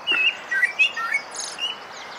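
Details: On a foggy morning at a garden feeder, a male common blackbird gives a few mellow, fluty whistled notes, then a thin, high twittering flourish in a brief burst of song.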